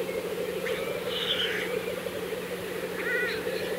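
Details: Black grouse at the lek, Kologriv Forest, April 2024: unbroken low bubbling murmur throughout, with a steady faint hum beneath and a few brief whistled notes from other birds.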